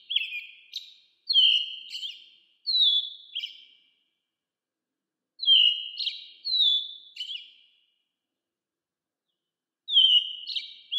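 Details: American robin calling, 8D sound: clear, slightly descending whistled phrases given in groups of three or four, each group separated by a few seconds of silence.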